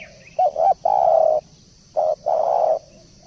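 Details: Tekukur (spotted dove) giving low, breathy coos in two groups, each a short double note followed by a sustained flat hoot about half a second long, with light background hiss.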